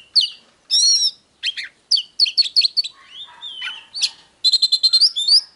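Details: Oriental magpie-robin song for stimulating other magpie-robins: bursts of high whistled phrases and harsh rasping notes, a lower warbling stretch midway, then a rapid series of repeated rising whistles.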